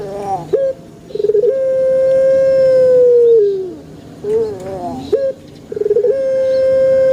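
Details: A Pelung chicken crows at length. Brief wavering notes lead into a prolonged, steady tone held for over two seconds before sliding lower. A second crow begins near the end.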